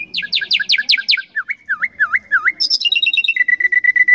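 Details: Common nightingale song running through fast descending rattles, a series of swooping looped whistles, then a long string of rapid repeated high notes.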